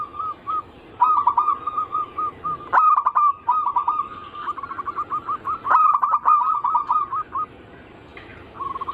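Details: Zebra dove, called perkutut, singing on a lure track for local, Bangkok and crossing birds; long rapid strings of short coos, two loud dense outbursts, then quieter spaced notes.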